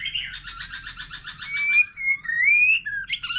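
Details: Wild-caught mature white-rumped shama in multi-voiced solo song with a laughingthrush: a rapid series of about ten pulsed notes, then a long clear whistle climbing slowly, ending in quick slurs.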